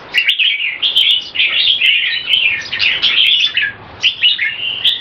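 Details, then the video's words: Two caged red-whiskered bulbuls, Olympian class, in a speed action display: dense, fast warbling chatter of bright whistled and scratchy phrases running almost without pause, voices overlapping, with sharp clicks scattered throughout. "JAMBUL - OLYMPIAN CLASS - SPEED ACTION DISPLAY"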